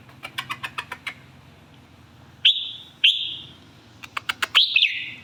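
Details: Red-whiskered bulbul giving a few loud, slurred whistled notes, each sliding down and then held briefly. A series of sharp clicks or taps comes before them, with more clicks near the end.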